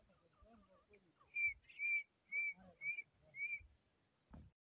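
A grey francolin gives five clear, high whistled notes, evenly spaced about twice a second, over faint low murmuring and a dull knock at the end.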